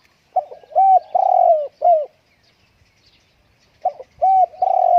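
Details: Spotted dove kept indoors on a windy day, singing two clear phrases of four soft, hollow coos, the third note long and drawn out, separated by nearly two seconds of silence.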